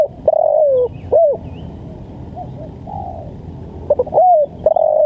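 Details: Spotted dove calls used for training and luring birds: low hollow cooing notes, some long and slightly falling, others short, with a quieter coo in the middle and a steady low background hum.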